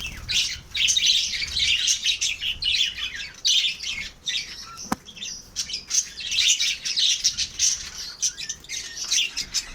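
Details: Pet lovebirds kept in captivity: dense, continuous high-pitched chattering and shrill chirps from several birds, rising and falling in loudness, with one sharp click midway.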